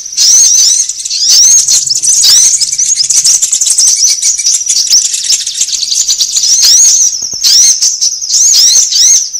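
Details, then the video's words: High, sharp sunbird chirps from a trapping lure meant to gather birds; upswept twittering notes come in quick irregular bursts about once a second, and the stream dips slightly midway. "SUARA PIKAT KOLIBRI AMPUH"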